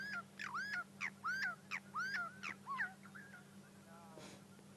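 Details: Burchell's starling (Lamprotornis australis) at sunrise, Sabi Sand, 28 May 2016, calling furiously close by while picking grass seeds on the ground: chattering, slurred, rising and falling whistles in quick bursts about once a second over a low hum.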